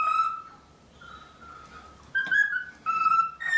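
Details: A chatty male pet cockatiel, excited by his reflection in a bathroom mirror, sings in clear whistled phrases, mostly steady mid-pitched notes with a few brighter rising ones, in short bursts over about four seconds.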